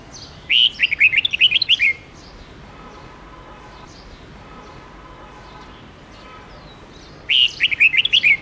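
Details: Long forest-style song of a Red-whiskered bulbul, used to train young birds: two bursts of rapid, bubbly, slurred whistled notes, each about one to one and a half seconds, separated by roughly five seconds of low hum and hiss.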